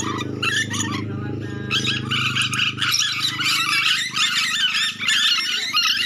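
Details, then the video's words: Trapping-lure recording of a Sulawesi nuri dora lory: nonstop harsh, buzzy chatter of screeching notes in quick succession, accompanied by a steady low mechanical-sounding hum. "Pancingan suara asli nuri dora sangat cocok buat pikat nuri dora"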